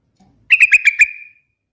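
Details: One crisp gurgling phrase of five quick liquid notes with a drawn-out fading tail, sung by a trucukan, the yellow-vented bulbul.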